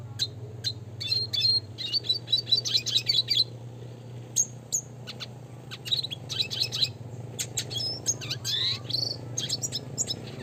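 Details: Red siskin, classic type, singing lively bursts of high twittering and buzzy trills with quick chip notes, phrases repeating after short pauses, low steady hum in the background.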